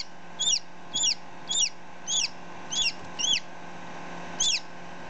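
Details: Just-hatched chicken chick, ten minutes old, heard close up beside a one-day-old chick: seven high, falling peeps spaced about half a second apart, with a pause before the last one, over a faint background hum.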